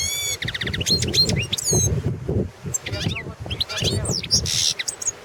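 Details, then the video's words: Balkan goldfinch, Carduelis carduelis balcanica, recorded as a 2017 world championship song contest entry in Serbia, delivers nearly continuous bright twittering: rising whistled slurs, quick trills and buzzy notes, over low rumble and faint murmuring. "Pesma štiglića 006/ 2017 Nešić Aleksandar World championship in Goldfinch Song 2017"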